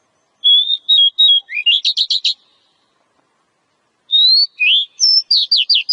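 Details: Wild Oriental magpie-robin (kacer), a fighter bird whose cobra-like singing style is called ngobra; two loud phrases of clear whistled notes ending in rapid buzzy trills, separated by a short pause, no other sounds.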